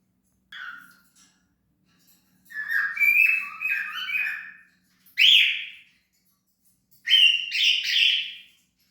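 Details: Cockatiel giving a series of harsh, chattering chirps and squawks in three bursts, each a cluster of rapid buzzy notes with rich overtones, separated by short silences; a faint low hum runs underneath.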